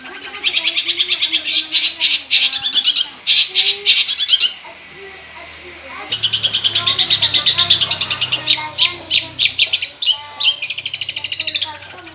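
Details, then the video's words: Long-tailed shrike singing strongly with a full mix of mimicked material: long runs of rapid, harsh chattering bursts, a pause of about two seconds, then more dense scratchy chatter mixed with short sharp notes. "SUARA CENDET GACOR FULL ISIAN, 100% AMPUH UNTUK UNTUK PANCINGAN CENDET BUNYI"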